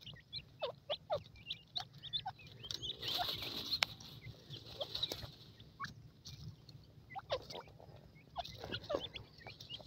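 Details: Grey francolin chicks giving thin, high, downslurred peeps in quick irregular bursts, with some soft rustling and clicking handling noise throughout.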